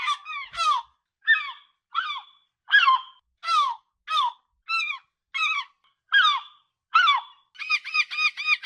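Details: Gull calling near the seacoast: a series of about a dozen shrill, falling, yelping cries roughly every two-thirds of a second, ending in a fast run of short repeated notes, with no other sounds.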